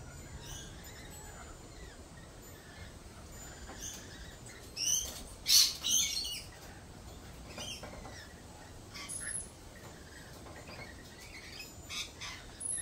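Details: Lorikeets at a cafe: a background of soft, scattered high chirps, then a cluster of loud, harsh screeches near the middle and a few sharper squawks toward the end, over a low constant hum.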